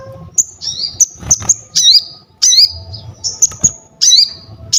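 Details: Crested jay song kept for training other birds: sharp high whistled notes, clicks and downslurred squeals in bursts about once a second, with a low background hum.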